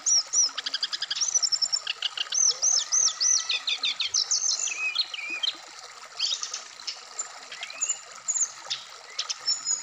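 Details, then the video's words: Black-throated laughingthrush, Indonesia, singing richly varied song meant to prompt a captive bird to sing wikplong. Looping high whistled phrases and fast chattering trills repeat several times a second, then ease into sparser whistles. "terapi srdc biar cepat bunyi wikplong Dan gacor full variasian"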